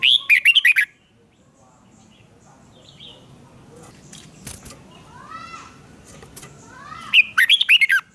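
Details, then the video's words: Red-whiskered bulbul, excited into a singing duel, delivers a quick cluster of loud, sweet warbled notes, a gap holding softer chirps, clicks and a few faint rising calls from other birds, then another vigorous whistled phrase. "Kích chào mào hót đấu"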